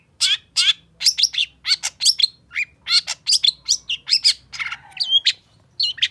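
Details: Long-tailed shrike in full, lively song meant to spur a silent caged bird: dense run of sharp chirps, buzzy notes and whistled slurs, delivered in quick bursts with barely a pause.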